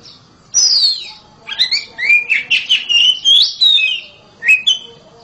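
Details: Loud song of a home-kept oriental magpie-robin, opening with a long descending whistle, followed by a rapid string of bright warbled notes, a short pause, and two final whistled phrases.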